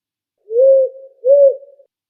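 A female Powerful Owl gives her typical two-note whoo-hoo, two mellow, even hoots about half a second apart, the second slightly higher. Otherwise silent.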